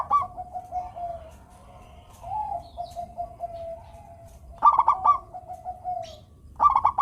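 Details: Local zebra dove (perkutut lokal), a steady, melodious singer, used to prompt lazy doves into song: short bright bursts of clipped notes break into a long, low, wavering trilled coo. The phrase repeats three times with soft background hiss.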